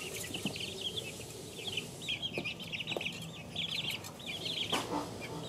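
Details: Two-week-old chicks peeping in scattered flurries of high, quick chirps, with a couple of sharp clicks and a low background hum.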